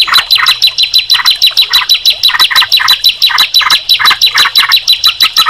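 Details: Bar-winged prinia and yellow-vented bulbul singing at once: rapid, regular, high-pitched downslurred notes, roughly three per second. Each is layered over lower, chattering chirps, dense and continuous throughout.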